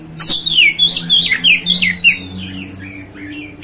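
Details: Oriental magpie-robin (kacer) singing rapid varied whistles and slurred downward notes in a continuous babbling phrase, with a faint low hum in the background.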